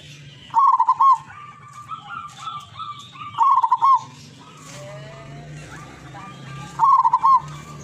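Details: Zebra dove from the wild in Tuban, East Java, repeating bursts of rolling trilled coos about every three seconds, with other birds' faint chirps and a low hum around.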